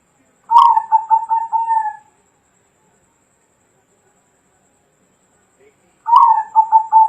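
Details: Bangkok-type zebra dove from 2020 gives two soft beaded cooing phrases about five seconds apart, each a quick stuttering opening followed by rolling coos settling into a steady low tone, in otherwise silent surroundings.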